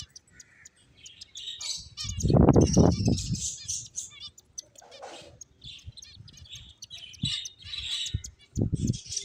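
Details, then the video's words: Several finches chirp in dense, high, rapid bursts, with a loud low rustling or fluttering burst around the middle and softer thumps near the end. "Beautiful Finches Chirping Sounds"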